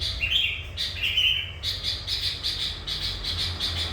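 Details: Sooty-headed bulbul, a kept bird singing energetically and used as a lure to trap wild bulbuls. A few clear whistled notes open, then a run of harsh, buzzy bursts repeated about once per second.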